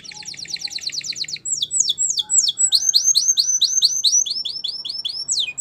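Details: Canary singing: a fast trill of repeated sharp notes, then a long series of bright, swooping whistled syllables, each falling or rising, delivered in rapid rhythmic runs.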